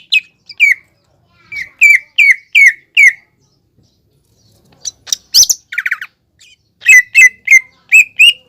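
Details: Greater green leafbird song meant to prompt a learning bird into singing: repeated bright, slurred whistles in bursts, broken by a short harsh chattering squawk, then more quick whistled notes.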